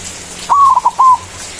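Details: Single manggung phrase from a white zebra dove, a loud and frequent singer used for luring rivals: a long gently falling coo, two quick short notes, then a second level coo, all mellow and soft-toned.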